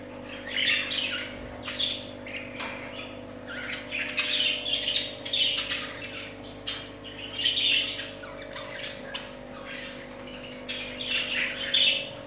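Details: Pet budgerigars chattering continuously, with scratchy warbled chirps and squawks in irregular bursts over a steady low hum.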